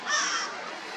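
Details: An Eastern Kingbird (Tyrannus tyrannus) foraging for insects on the shore of Big Bay de Noc gives one harsh, buzzy, sputtering call of about half a second, which fades into a steady background hiss.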